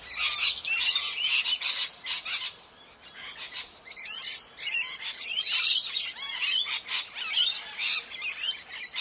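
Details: Several Indian parrots chattering with harsh, clipped squawks and looping, twisting shrieks, a short quieter gap early on, then steady busy calling.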